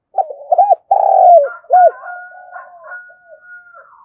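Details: Spotted dove used as a decoy to call in wild birds, giving one coo phrase of stuttered short notes, a long descending note and a clipped closing note, followed by a thin steady whistled tone and faint chatter.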